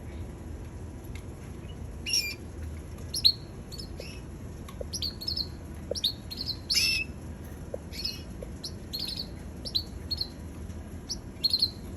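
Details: Red canary, described as a baby canary, giving short sharp high chirps and tweets in scattered bursts, some doubled or in quick clusters, over a steady background hiss with faint low clicks.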